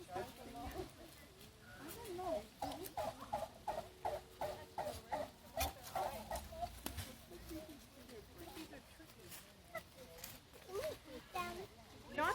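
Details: Turkeys showing off at Fort Edmonton Park in Edmonton, with a rapid series of short, repeated mid-pitched clucks and yelps, several per second, over background noise and brief human voices.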